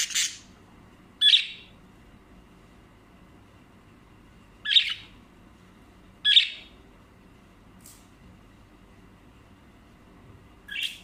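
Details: Budgerigars kissing each other give short, harsh, high-pitched squawks at uneven intervals of a second or more.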